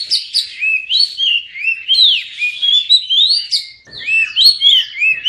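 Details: Oriental magpie-robin delivering a continuous melodious song, for prompting quiet birds to sing: rapid slurred whistles rising and dropping in quick succession, with a short lull before another varied run.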